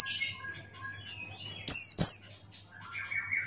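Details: Buxtoni white-eye with open beak: two loud, high, downslurred whistles close together, framed by quieter, lower warbling from other birds.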